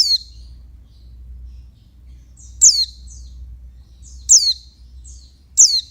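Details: Female oriental white-eye (pleci) calling to stimulate males: four sharp, very high, thin descending notes, each led by a fainter shorter note, spaced one to two seconds apart over a low steady hum.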